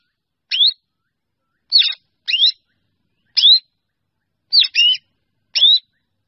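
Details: Flock-gathering calls of a black drongo: rising, curved whistles, some delivered as quick double notes. There are seven calls spread over about six seconds in an irregular rhythm, with no other sounds.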